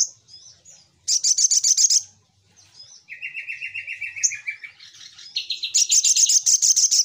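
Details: Little spiderhunter lure call with rapid buzzy high chattering bursts, a steady lower trilled series in the middle, then a long fast run of sharp chips at the end.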